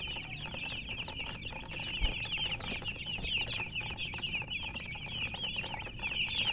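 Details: Many colour chickens peeping at once: thin, high, fast-repeated chirps forming an unbroken chorus that swells slightly toward the end, with a brief knock near two seconds.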